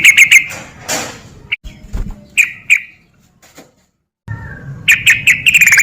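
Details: Sooty-headed bulbul song used as a lure to rouse reluctant bulbuls into singing, in the rapid ropel style: scattered bright whistled notes with ringing overtones, a burst at the start and a fast run at the end, with a noisy rustle and a silent gap between.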